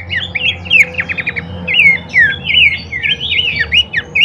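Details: Abbott's babbler recording meant as a lure and training master for birds: quick bursts of whistled, slurred notes and buzzy trills in an unbroken, busy stream over a low background hum.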